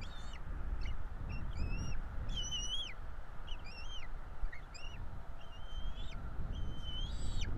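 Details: Bald eagle nestlings, a pair, calling during a feeding at their Florida nest on 5 April 2022; a busy run of thin piping whistles, some rising, some curving down, over continuous low-pitched background noise.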